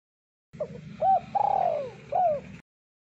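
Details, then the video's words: Spotted dove, a thick-voiced singer used as a lure. One phrase: a faint short note, a clear hooked coo, a long coo sliding down, then a final falling coo, over a low background hum. "Suara Burung Terkukur Deruk Derkuku Gacor Suara Tebal Buat Pikat Luar Biasa"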